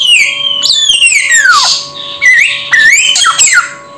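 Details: Samyong bird giving a long whistle that glides steadily downward, then a harsh hiss and short rising whistled notes, with a faint steady hum in the background.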